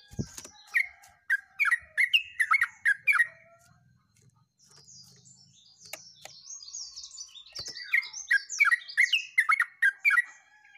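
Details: Yellow-vented bulbul singing vigorously in rapid, continuous fashion, recorded 29 August 2024: bursts of short bubbly notes around the middle pitch, repeated several times a second, a pause with faint high twittering, then another fast run of notes.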